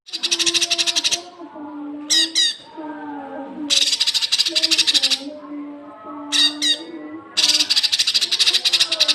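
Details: Cucak kinoi song as masteran for young birds: long, loud, buzzy rattles of fast repeated pulses alternate with short double chirping bursts, backed by low, steady tonal sounds.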